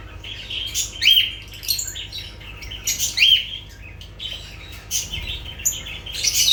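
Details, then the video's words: Several lovebirds give busy, high twittering chatter, broken by sharp upslurred chirps and scratchy squeaks at irregular intervals. "Sounds of lovebirds"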